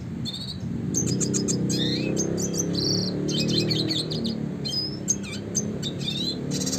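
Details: Classic red siskin song in the rolling 'gacor ngerol' style used as a master for training songbirds: rapid high twittering bursts, thin rising whistles and buzzy trill clusters, with pauses between phrases, over a steady low rumbling background.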